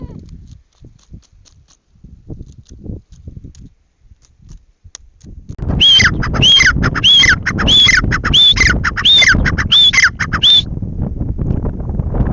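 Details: Grey francolin (teetar) calling: after several seconds of quiet faint ticks and low rumble, a loud series of harsh, squeaky phrases with a sliding whistled note, repeated evenly about eight times, then stops.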